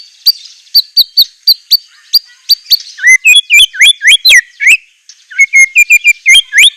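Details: White-rumped shama singing lavish isian song: evenly spaced high sharp chips, then loud looping whistled slurs and quick mid-pitched warbled notes in a lively, varied sequence.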